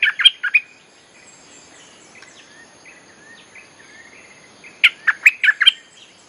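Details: Olive-winged Bulbul song played as a lure for wild birds: a quick cluster of rich, slurred whistles opens and closes the passage, with faint soft warbling in the quiet middle.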